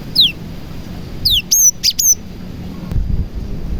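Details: Cinereous tit with prenjak-filled song, played to lure other tits: a quick downward-slurred whistle, a pause, another slurred whistle, then three bright clipped high notes, followed by near quiet with low rumble.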